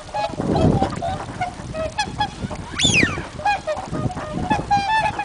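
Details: A group of swans at Abukuma Shinsui Park, Japan, trades loud, nasal, bugling honks, overlapping almost without pause; one louder call swoops up and back down, over a low rumble.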